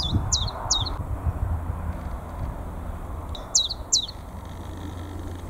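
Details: Chiffchaff in full spring song, North East England, March 2022, soon after returning from migration; a few quick high descending notes at the start, a gap, then two more, with low rumble beneath.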